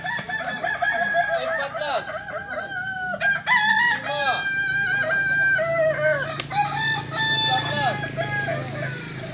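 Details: Several Kukuak Balenggek cockerels crow together during a mock crowing contest for practice; overlapping drawn-out crows rise and fall in stepped phrases throughout, with a low hum and occasional sharp knocks beneath.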